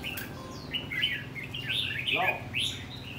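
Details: Red-whiskered bulbul in a tall square cage with four corner perches, singing rồ ché: a rapid series of clear whistled notes, some rising and some falling, ending in a loud upward slur, low hum underneath.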